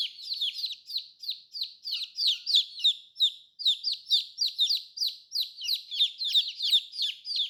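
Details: Colorful new chicks peep loudly and rapidly, about three high, falling notes per second, with several birds calling over one another without pause.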